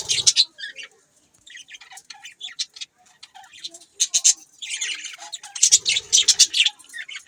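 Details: Budgie chatter: scattered short, squeaky high notes, building into a denser run of rapid scratchy chirps toward the end.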